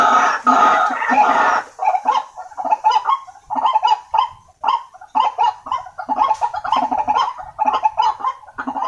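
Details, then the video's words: White-breasted waterhen lure calls: a loud, dense opening burst followed by a steady run of harsh, nasal, honking croaks, often paired, repeating roughly twice a second with short gaps. "Suara Pikat Ruak Ruak Paling Ampuh|auto ngumpul...."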